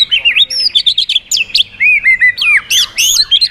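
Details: A white-rumped shama switches voices while flicking its tail to excite other birds: lively, varied phrase of bouncing whistled notes, quick slurs and high squeaky upsweeps in rapid succession.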